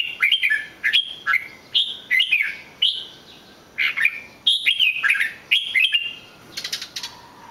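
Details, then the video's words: Red-whiskered bulbul singing a lively run of short, bright whistled phrases, each a quick rise and fall, delivered in rapid bursts with brief gaps, a softer rasping note closing the sequence. "chào mào hót cực hay"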